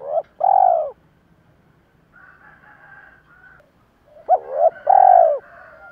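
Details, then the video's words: Spotted dove lure calls from males and females: two mellow arched coos, a quiet gap with a faint higher tone, then a rising double note and another full coo. "cu gáy kích bổi và tập mồi hiệu quả hàng ngày"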